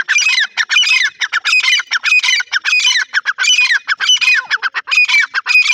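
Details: Irani francolin calling loudly and continuously: rapid, harsh, squawking notes in quick clusters, packed closely with hardly any pause.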